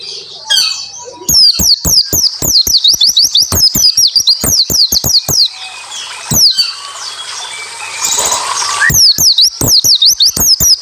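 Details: White-eye song used as a lure recording to prompt other white-eyes to sing: loud, rapid runs of sharp, high, V-shaped whistled notes, pausing near six seconds, with sharp clicking ticks throughout.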